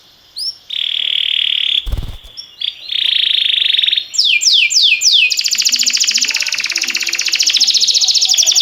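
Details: Canary song meant to train other canaries: two sustained buzzy trills separated by a sharp knock, a series of falling sweeps, then an extended fast rolling trill.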